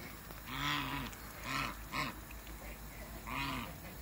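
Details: Two African geese kept in a backyard among waterbirds give loud, deep, drawn-out honks in short bursts, each rising then falling, with pauses between and background hiss.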